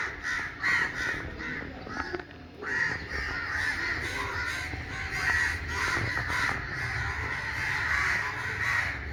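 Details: Crows assembled in a noisy community after being disturbed, protesting with a continuous clamour of raspy overlapping caws, some sharper individual calls standing out against the dense chorus throughout.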